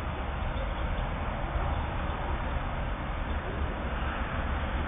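Steady low rumbling noise throughout, like a passing vehicle or engine, with no animal calls heard.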